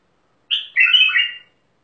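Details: Bulbul described as from Mandali: one short warbled phrase of about a second, opening with a bright note, then a run of rich, slurred, fluting notes in the mid-high range, with a clean silent background.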